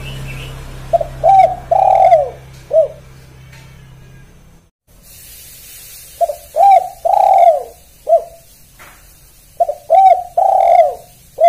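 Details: "Kuk 1" call of a spotted dove: two phrases of soft, hollow cooing, each about five notes with a longer drawn-out coo near the end. A brief pause separates them, and a low hum fades early on.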